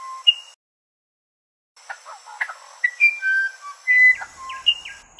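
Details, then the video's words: A musician wren sings pure, flute-like whistles at shifting pitches, some sliding up or down, mixed with short gurgling notes, while a steady high insect hum sits behind. "Musician Wren Sound"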